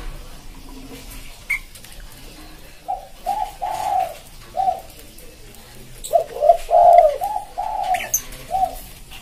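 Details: Spotted dove cooing, a pédo élem voice with soft manggung tone and strong pressing notes, used to lure wild birds. Two phrases of low, mellow coos, the second louder and fuller, over a quiet indoor background with faint clicks.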